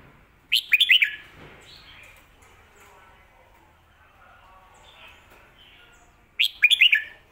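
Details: A red-whiskered bulbul delivers a favoured phrasing of the Phat Kuay Tiew and Mae Bot song styles from Thailand: loud, liquid whistled phrases of four or five looping notes, repeated after roughly six seconds of near silence.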